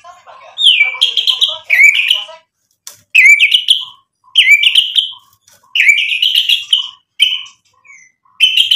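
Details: White-rumped shama in lively full song, meant to provoke rival birds into answering: loud phrases of rich whistled notes around a steady pitch, each opening with a swooping slide, repeated every second or so with short pauses, high clicks and chips between.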